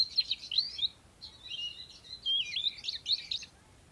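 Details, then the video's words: Caged oriental magpie-robin kept as a strong competition singer, delivering a continuous high chattering warble of rapid twisted notes in three dense phrases. "Kacer gacor"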